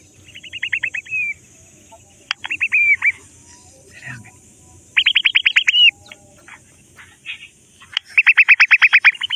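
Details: Grey francolin chicks playing in mud: bursts of rapid, evenly spaced chirps, each series about a second long and ending in a slurred downward note, separated by short pauses with faint clicks and rustling.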